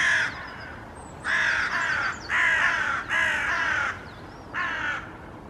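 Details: Hooded Crows perched in a tree, Helsinki, Finland, April 2024, slightly agitated: five hoarse, grating caws spaced about one second apart, with soft high chirps of another bird between them.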